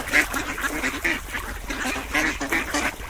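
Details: Short burst of duck quacks, a handful of nasal, buzzy calls in quick succession from a small crowd of birds.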